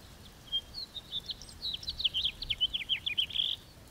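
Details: House finch (Haemorhous mexicanus) singing a long warbled song, a quick run of twittering, slurred notes that rises and falls, ending in a buzzy note, with background hiss.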